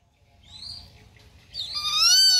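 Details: Rufous-winged buzzard: a faint thin high note first, then one loud, drawn-out, harsh call that rises and holds steady, full of overtones, ending the short recording.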